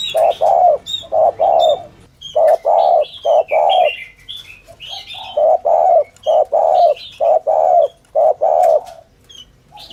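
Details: Spotted dove cooing in the 'thổ thúc gù' manner used as a decoy call for trapping doves: soft, rounded low coos in pairs, with brief pauses between runs and scattered high chirping of other birds.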